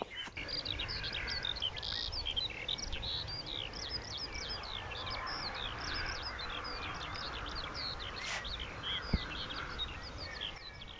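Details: Eurasian skylark (Alauda arvensis) song, heard in the countryside: a long, continuous, high, jangling stream of rapid chirps and trills without pause, over a low rumble of wind or distant traffic.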